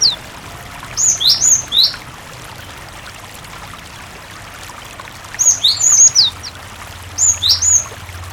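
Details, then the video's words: {'caption': 'Cinereous tit song played to get other tits singing, over a faint watery background. There are three phrases, each a rapid group of four high, steeply falling whistled notes, separated by several seconds of quiet.'} "Masteran suara Burung Gelatik Batu gacor sangat ampuh pancingan gelatik berkicau"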